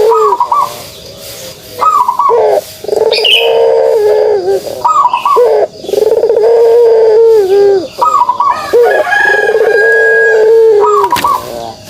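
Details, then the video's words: Pelung turtle dove repeating its kugeruk call, with sustained low mellow coos broken by abrupt higher upturned notes, in a steady cycle of about four phrases; faint high chirps from small birds behind. "suara kugeruk burung puter pelung"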